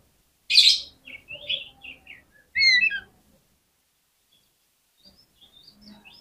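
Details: Oriental magpie-robin fighting song used to provoke rival magpie-robins: a loud burst of varied whistled and scratchy notes, then a bright rising phrase, trailing into faint high twitters and a quiet pause.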